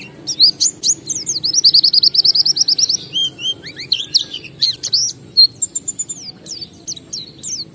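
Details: Oriental white-eye in 'ngalas' song used to prompt other caged white-eyes to sing: a dense fast trill of high notes, then varied twittering with clear whistled slurs and chirps, quiet low hum beneath.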